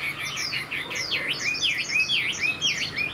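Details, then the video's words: Young caged Chinese hwamei of this year, tail-flicking like a laughingthrush: bright V-shaped whistled notes, repeated about twice a second, swooping down and up. "Họa mi chuyền năm nay, cực kỳ tố chất, vẩy đuôi khướu, hót tốt"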